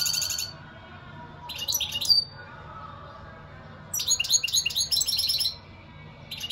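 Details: European goldfinch delivering short bursts of high, jingling twitters, a brief phrase, then a longer run of rapid chirps and trills after a pause of nearly two seconds.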